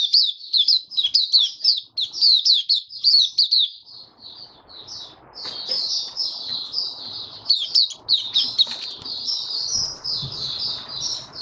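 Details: Open-singing kept white-eye, warm humid weather, 23 March 2022: rapid high chirping at first, then longer, smoother whistled twitters over a faint hiss, with a few flutter sounds.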